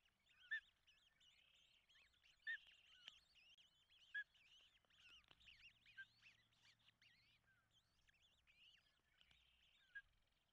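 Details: Osprey pair at a nest in Charlo, Montana, on 16 June 2024, as the male arrives with a large fish and the female feeds three chicks. Short, sharp whistled notes repeat roughly every two seconds over dense, twittering chatter from other birds.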